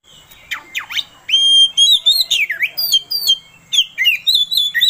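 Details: Oriental magpie-robin singing to provoke another bird into song: rich, varied phrases of clear whistles, upslurs and downslurs, with sharp high notes and brief pauses between bursts.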